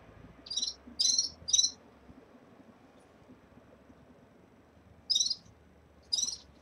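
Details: Caged red-fronted serins early in moult: a quick run of three buzzy high chirps, a silent gap of about three seconds, then two more similar chirps, with soft low hum behind.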